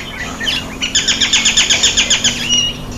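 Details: Common myna (Indian myna) taking a bath: a fast, bright run of sharp chirps, about four per second for nearly two seconds, over steady low hum, with scattered softer chirps before and after.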